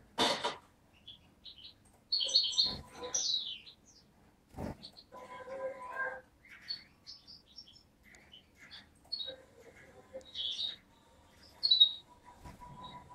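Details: Young European goldfinch hatched in 2011 from Beni Snassen, on the Morocco–Algeria border, recorded 8 January 2012: scattered high tinkling chirps and twittering notes with pauses, plus a few clicks and low knocks.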